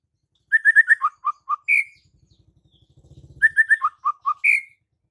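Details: White-rumped shama singing 'gacor full isian' style: a fast run of clear whistled notes stepping down in pitch and ending on a higher slurred whistle. The phrase comes twice, with a soft low rattle in the gap.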